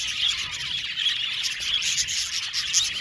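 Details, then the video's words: Budgie colony in an aviary, steady dense twittering from numerous birds, quick chirps and short squawky notes overlapping without a break. "Beautiful budgies chirping sound"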